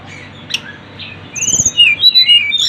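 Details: Brief tledekan gunung (Sunda bush warbler) lure recording: faint chirps give way to a sudden busy phrase of high sliding whistles and a thin buzzy trill, with a few soft low thumps.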